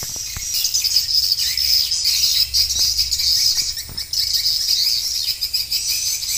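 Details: Swiftlet lure call played to draw swiftlets into a bird house, mixing roosting and pulling sounds: a dense, continuous wash of high, thin, buzzy chirps from many birds, with a few faint clicks.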